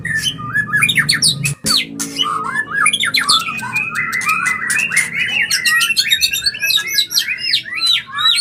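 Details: Breeding-condition mating sound of a white-rumped shama: busy rush of short bright whistled notes and rattling clicks, briefly broken by a sharp pause, then fast repeated chirping phrases.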